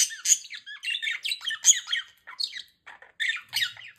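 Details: New pet budgerigars chattering to each other at home with quick, scratchy warbles and sharp squeaky notes, high and continuous.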